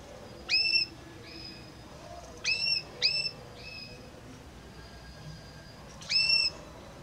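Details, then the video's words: Belgian canary singing with varied notes in a harmonious voice: four short, separate whistled notes, each a quick upward sweep ending in a steady tone, spaced irregularly over several seconds against a quiet background. "Como canta este Canário Belga!"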